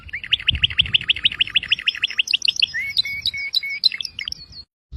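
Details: Canary song opening with a rolling, looping trill of repeated notes, then sliding whistles and sharp high chirps, ending abruptly.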